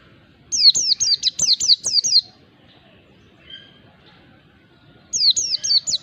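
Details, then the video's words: Mountain white-eye (pleci) ngalas song used as a lure to provoke a reluctant bird into singing. A fast run of about six high, downslurred whistles, a pause with a faint lower note, then another quick burst of falling whistles. "pancingan pleci ngalas bikin emosi lawan PLECI MALAS BUNYI LANGSUNG RESPON"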